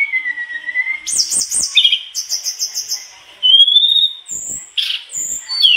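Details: Mangrove blue flycatcher in active song, unloading its learned phrases: a low, wavering whistle, a rapid high trill in quick zigzags, chattered notes, a rising clear whistle, and sharp high slurred calls.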